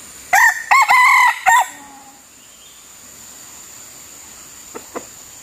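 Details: Wild red junglefowl lured with a decoy, crowing: three loud harsh bursts in quick succession lasting about a second and a half, then near silence with two faint clicks and constant insect-like high hiss.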